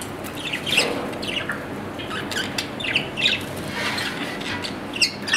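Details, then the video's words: Australian parrot, a pet budgerigar, chattering in short bursts of scratchy chirps and squawky notes spaced about a second apart, some rising sharply at the end, over faint steady background noise. "My Australian parrot | Budgerigar"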